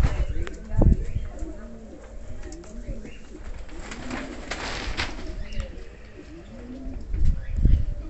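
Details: King pigeons, a domestic pigeon breed, giving low, rounded cooing phrases that rise and fall, repeated through the recording, with loud thumping knocks and rustling handling noise.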